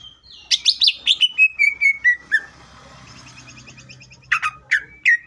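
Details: Vigorous Greater green leafbird song for provoking other leafbirds: a descending series of clear whistled notes, a quieter stretch of faint ticking, then loud slurred chirps.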